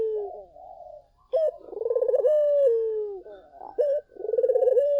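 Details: Collared dove, song played to lure other doves to answer: a short higher note leads into a vibrating rolling coo and a long falling tone, followed by another sharp clipped note and a fresh rolling coo.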